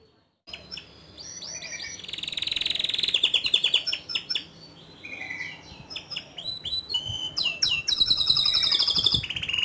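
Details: Canary singing energetically in ngerol rolling style with nembak bursts, softer here, mixing sharp chips, bright rolling trills and quick chatters in a dense run.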